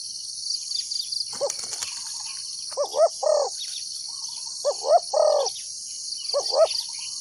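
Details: Spotted dove used as a decoy, calling to lure wild doves into a trap: low hollow cooing phrases, two quick coos then a longer rolling coo, given three times, over a steady high insect chorus.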